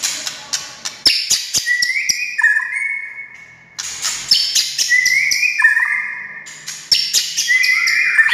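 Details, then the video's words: White-rumped shama singing to provoke other shamas: clicking and high ticks leading into long level whistles that step down in pitch, repeated in three similar phrases. "SUARA kicau MURAI INI Buat semua jenis murai gacor,buat Murai DIAM Langsung NYAUT"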